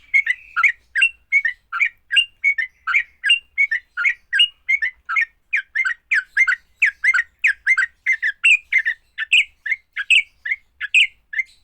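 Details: Long run of sooty-headed bulbul fighting song, said to rouse other bulbuls quickly: rapid, rhythmic chattering notes, some harsh and squawky, others slurred and whistled, with no pauses.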